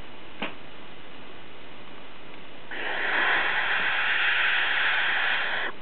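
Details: Three barn owl chicks in an exposed nest on a ledge under ivy, Co. Kerry, 2009, give a long, harsh, breathy hiss of about three seconds after a single faint click, over a low background rumble.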